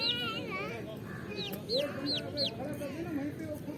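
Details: Flock of 20-day-old Rhode Island Red chicks peeping in quick, arched, falling notes, a few each second, mixed with low chatter and clucking sounds.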